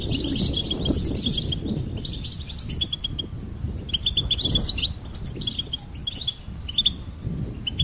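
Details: Goldfinch song: rapid twittering phrases with repeated bright chip notes and buzzy trills, broken by short pauses, over a steady low rumble.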